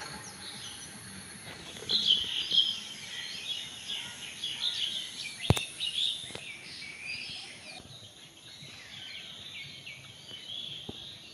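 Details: Birds heard but not seen in a garden at dusk, a busy chorus of high chirps swelling around two to six seconds, with a sharp click midway and fading toward the end.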